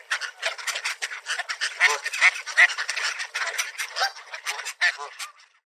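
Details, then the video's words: Crowd of park mallards being fed seed, quacking in a fast, ragged chorus of short harsh notes that fades out at the end. "Ducks Galore! Feeding a Swarm of Mallards at The Park - Bird Sounds and Calls"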